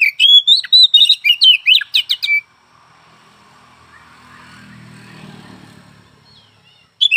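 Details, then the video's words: Oriental magpie-robin singing a fast, varied run of whistles and trills, followed by a low rumble of a passing vehicle before the song returns. "Suara burung Kacer pagi siang malam"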